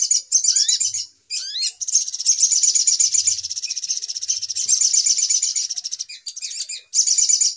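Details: Sogok ontong (little spiderhunter) noisy lure sound used in trapping: rising whistled slurs open into a long, high, rapid chattering run, with brief pauses and renewed bursts near the end.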